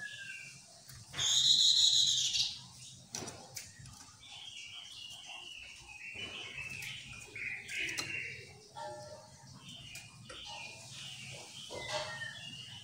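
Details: Chestnut-capped laughingthrush calling actively, used to draw other birds into answering; one loud, nasal, harmonic drawn-out note, then quieter jumbled chirps and squeaky notes over a background hiss.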